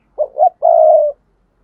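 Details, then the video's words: Spotted dove cooing, used to lure and provoke wild doves: two short soft hooting notes followed by one long, steady, drawn-out coo, low and mellow, in otherwise silent surroundings. "tiếng cu gáy thúc bổi"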